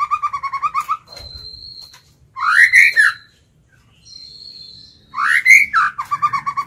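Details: White-rumped shama kept as a lure bird, singing to draw and provoke wild rivals: bursts of loud rising whistles with rapid repeated notes, separated by quiet spells holding a thin, steady, high-pitched tone.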